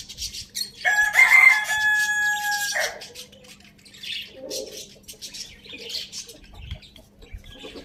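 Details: Farm-village rooster giving a single strong crow near the start, a rich, held, slightly wavering note of about two seconds, followed by faint clucking, chirps and rustle in the yard.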